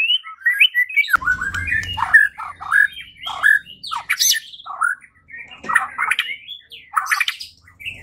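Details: White-rumped shama song used to provoke another bird into singing and fighting: loud varied phrases of whistles, harsh chirps and sharp rising notes without pause, with a low rumbling thud for about a second early on.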